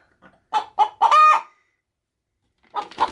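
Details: Pet hen readying to lay an egg in a bag of chicken feed, making funny noises when approached: a few quick clucks rising into one drawn-out squawk, then a pause and a muffled rasping call.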